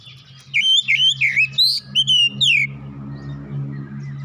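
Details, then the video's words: Oriental magpie-robin singing its gacor song, used as therapy to bring out full song: a quick run of loud whistled, upslurred and downslurred notes for two seconds, then quiet, over a steady low hum. "Kacer cepat keluar suara gacor"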